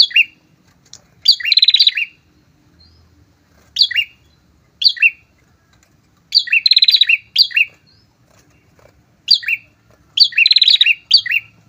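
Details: Two prinias singing as a loud pair, meant to draw in and provoke rivals; short sharp downslurred chips alternate with rapid buzzing trills, phrases arriving every second or two with quiet gaps.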